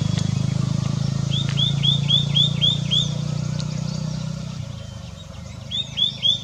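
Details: White-naped tit calling continuously: a string of seven clear, rising whistled notes delivered rapidly, then a second shorter burst near the end, over a low engine hum that fades midway.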